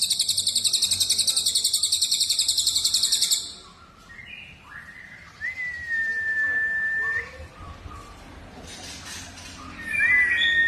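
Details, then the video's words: Bird voices on a masteran with cucak jenggot, cililin and canary: a rapid high trill, then softer chirps, a long clear level whistle and rising whistled notes near the end. "masteran cucak jenggot cililin kenari"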